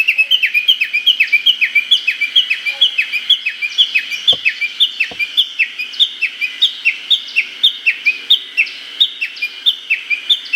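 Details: Japanese bush warbler in early-summer forest, Hokkaido, giving its valley-crossing call: a long run of sharp, high, down-slurred notes, about five a second, steady throughout; faint clicks, no other birds.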